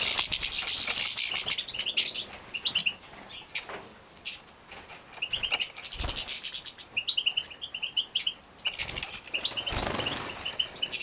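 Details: Young captive-bred European goldfinches being fed in Poland, 2017, erupt in rapid, shrill buzzy chirping bursts that rise and fall in waves, with quick ticking notes between them and soft wing flutters.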